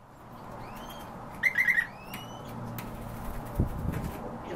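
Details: European bee-eater giving one short rolling, burry trill of rapid pulses in about half a second, with thin rising whistles from other birds before and after it and a steady background hiss.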